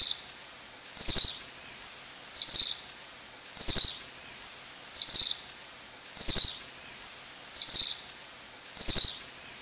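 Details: A Tropical Kingbird gives short, high, twittering bursts, eight in a row, about one every 1.3 seconds, with nothing else heard.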